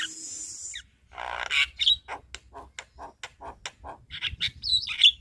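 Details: Lively Javan myna song recorded as a master for training other birds: harsh squawks and whistles, then a quick run of clipped rasping notes, closing with sharp whistled calls.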